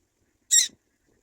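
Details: Abandoned black-winged kite chick uttering a single brief, loud, raspy high squeal, otherwise quiet.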